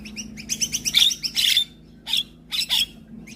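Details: Javan myna in morning song that prompts neighbours' mynas to reply: a quick series of bright chirps that builds into dense harsh notes, then two paired chirpy bursts after a pause.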